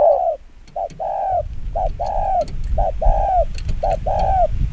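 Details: Spotted dove repeating quick 'chiêu gù kích bổi' coo phrases, a short note then a longer falling coo, about four times, over steady low rumbling noise.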